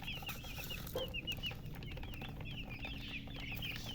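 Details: Chicks thirsty for water peep steadily in short, high, down-slurred notes repeated many times a second, with a brief low thud near one second and a constant low hum.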